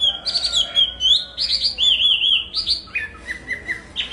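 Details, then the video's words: Chinese hwamei (họa mi) singing loud, clear whistled phrases in quick succession, high notes swooping into lower wavering trills, ending with a short series of repeated notes. "tiếng hót hay nhất của chim họa mi phần 2 | The beautiful song of the nightingale part 2"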